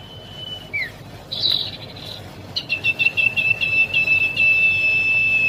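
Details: Juvenile common iora: a short thin whistle and down-slurred note, a harsh buzzy burst, then a quick series of clipped high notes blending into a sustained level whistle. Quiet low rumble underneath.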